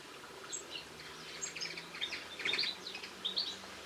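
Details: Linnets filmed on 22 March 2016 sing a dense, fast twitter of high chirps and short trilled notes that grows busier and louder in the second half, above a faint low hum.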